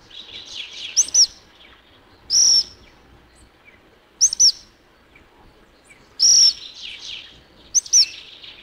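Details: Black phoebe (Atrapamoscas Guardapuentes) recorded at Alto San Miguel: sharp, high paired chips alternating with longer buzzy notes, the pattern repeating roughly every two seconds, clear against a quiet background.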